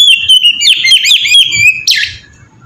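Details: Oriental magpie-robin in 'ngeplong' style, melodious song meant as a lure to make other magpie-robins sing. A short sequence of clear whistled notes ends in a harsh, rasping burst, over a low background hum.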